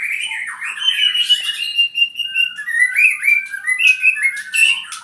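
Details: An albino white-rumped shama kept as a pet gives a rich, fast song of sliding whistles and rapid chattering phrases, bright and loud with little background sound.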